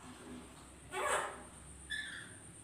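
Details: One of a pair of lories together gives one harsh, broad screech, then a shorter, more tonal squawk a second later, over a faint background hiss.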